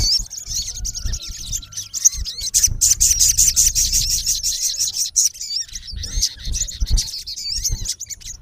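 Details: Male olive-backed sunbird calling to a rival, a dense burst of sharp high chirps around the middle, then scattered twittering notes, over low rumbling background noise.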